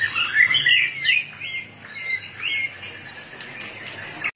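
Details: White-rumped shama, fired up and flicking its tail rapidly, delivers a rich run of whistled, slurred phrases sliding up and down, with a few thin high notes near the end.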